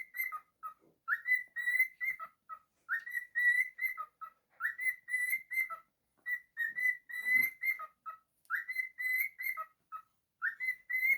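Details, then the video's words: Talented pet cockatiel sings a long run of its repeated whistled tune. Up-slurred openings, held clear tones and dropping short notes repeat about every two seconds. A faint clatter is heard near the end. "Cockatiel singing"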